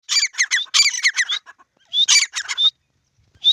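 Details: A pair of grey francolins calling in a field: loud phrases that open with a rising whistled note, then run into rapid harsh, buzzy notes, given in two bursts with a short pause between them.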